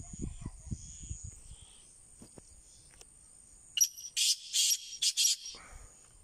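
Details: Calling black francolin (kala teetar): after a few seconds of low rustling, a loud, harsh series of five grating bursts arrives, the last ones the longest. A faint steady high whine lies beneath.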